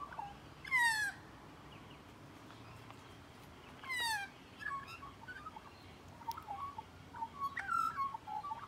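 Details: Magpie nearby giving two loud, harsh, downward-sliding calls about three seconds apart, followed by a run of quiet, twittering warbled notes.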